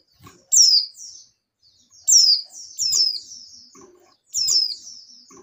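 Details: In breeding condition, a female oriental white-eye calls to attract the male: loud, piercing, falling chirps, sometimes doubled, with gaps of about two seconds and slight background rustling.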